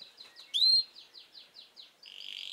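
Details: Canary singing: a series of quick, falling chipped notes with one loud, clear upslurred whistle early on, then a fast buzzy trill at the end.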